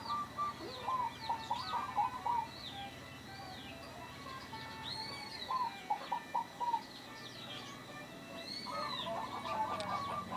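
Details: Local zebra dove in full voice, described as having a rare, unusual and unique voice: short rolling, burry coo phrases low in pitch, repeated several times, with chirps and whistles of other small birds above.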